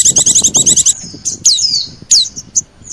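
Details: Oriental white-eye lure sound mixed with sogon: a short burst of rapid high chipping, then a few thin, sharply descending whistled notes.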